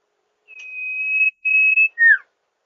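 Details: Song of the sirpu (sirdung) as a lure: a long level whistle, a short pause, a second whistle, then a sharp downward-sweeping note.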